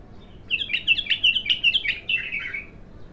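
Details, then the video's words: An untrained bulbul, singing for the first time, gives a sustained run of quick, bright warbled notes. The notes repeat about three times a second and then slur downward at the end. "تغريد الابتر خام اول فتحـه له"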